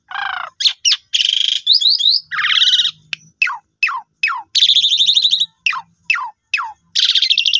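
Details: Asian pied starling singing, used as a lure for silent birds. Varied phrases of scratchy buzzes, quick downslurred whistles repeated in a series and grating chatter, loud and close with a faint low hum beneath.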